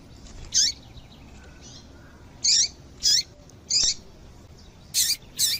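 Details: Female double-collared seedeater calls meant to excite males into singing: high, sharp chirped notes given singly at irregular intervals, ending with a quick close pair.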